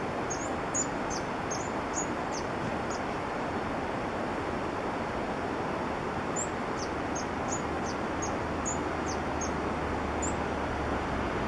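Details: Green-and-white Hummingbird in Peru giving very high, thin, sharp chips, several a second, in two bursts over a steady loud rush of wind or water.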